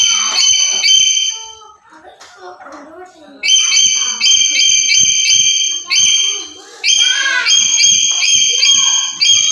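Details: Black-capped lory, a daily-calling bird used as a master recording to trigger other lories: after a quieter muddled start, long runs of piercing whistled notes with rich overtones, repeated quickly, briefly broken by softer chatter.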